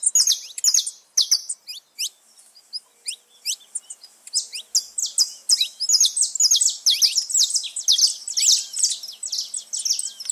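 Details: Saffron finches free in nature, gathered in a lively chorus: rapid high chirps and rising whistled notes pour out almost without pause, several birds overlapping into a dense, bright, jangling stream.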